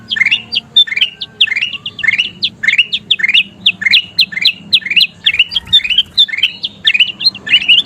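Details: Golden kutilang bulbul singing energetically, a recording used to train caged birds to sing. Rapid bright chirps rise and fall in quick bursts, several to the second, with a faint low hum beneath.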